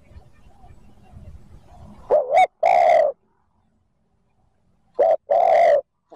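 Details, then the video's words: Spotted dove in the 'thúc gù' style, cooing to provoke wild doves into answering; two phrases, each a short clipped note followed by a longer, deep, slightly wavering coo, separated by silence, with faint low rumble at the start. "TIẾNG CHIM CU GÁY THÚC GÙ KÍCH BỔI NHANH NỔI CỰC SUNG, MỒI NGHE LÀ GÁY"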